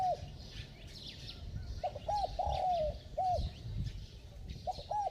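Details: Spotted dove with a bell-toned voice. Short low hoots lead into a sustained coo that glides downward, then another clipped hoot. A new phrase begins at the end, over steady background noise and soft chirps.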